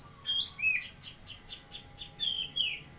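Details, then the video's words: Bulbul (cucak kinoi), Jambi, singing actively: bright whistles gliding down in pitch mixed with quick ticking chirps in a rapid sequence. "Burung Cucak Kinoi Gacor"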